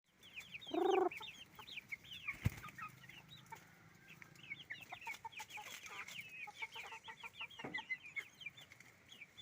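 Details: Roosters and hens on a chicken farm: a dense chorus of short, high, rising chirps overlapping continuously, with one loud, harsh, low squawk near the first second and brief knocks in the background.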